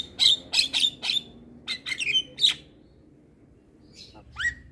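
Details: Javan myna singing in a tutor recording for kept birds: a quick series of harsh squawky notes with whistled overtones, a quiet stretch of over a second, then a single rising whistle.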